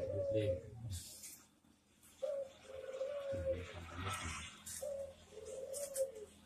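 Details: Repeated mid-pitched coos of a Barbary dove from a master recording meant for training birds, each smooth coo about half a second long, set against a noisy background with low hum and hiss.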